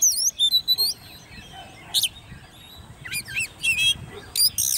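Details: Oriental magpie-robin, hand-raised and ten months old, kept in a cage and singing competitively; quick twisting whistles open the passage, followed by a long gap, then scattered harsh buzzy notes and trills.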